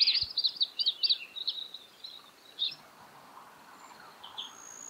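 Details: Juvenile Australasian grebe begging from a busy adult catching yabbies, Littlehampton, South Australia, 13 October 2020; a quick burst of high, shrill peeps fading into sparser notes over faint background hiss.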